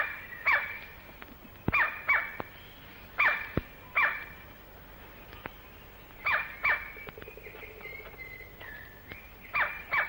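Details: White-bellied woodpecker (great black woodpecker) in Malaysian rainforest, recorded late 1950s to early 1960s: loud, piercing, ringing notes in quick pairs and short bursts every second or two, with sharp isolated knocks between, possibly its frantic drumming.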